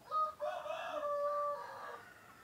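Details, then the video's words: Male laying-breed chicken, a rooster, crowing as day breaks; a loud, close crow opening with a short sharp note, then a long sustained harmonic cry of over a second that fades out, against a quiet background. "SUARA KOKOK AYAM PEJANTAN // the sound of a rooster crowing"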